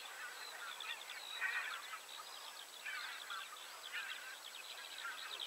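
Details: Chorus of common cranes, overlapping honking and trumpeting notes swelling in louder bursts roughly every one to one and a half seconds over a constant background of more distant calling birds.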